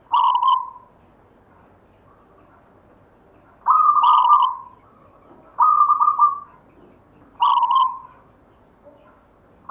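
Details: Local zebra dove (perkutut) song: four strong, even cooing notes, each about a second long, come in a slow rhythm roughly every two seconds, with faint quiet notes between them and no other noise.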